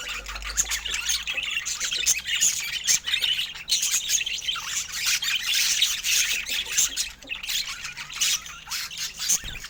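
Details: Budgerigars chirping in a dense, unbroken chatter of rapid high squawks and warbled chirps, with overlapping voices throughout and no pauses.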